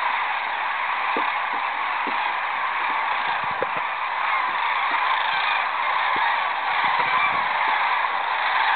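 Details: Sandhill cranes roosting on the Platte River at Rowe Sanctuary, Nebraska, on 30 March 2012, rising as an eagle approaches. The calls merge into a dense, continuous rolling chorus from many birds, with scattered clicks beneath.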